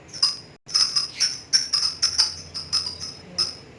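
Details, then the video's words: Pet lovebird giving a quick series of sharp, very high clipped chirps, roughly three or four each second, separated by short gaps, in an otherwise quiet setting. "BURUNG LOVEBIRD TERAPI PANJANG UMUR ‼️GACHOR NGEKEK BIKIN ADEM"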